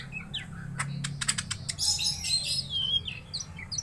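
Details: Greater green leafbird, a caged bird provoked to fight a rival, singing a lively run of sharp clicks, fast chirps and high whistled trills that slur up and down, with a low background hum.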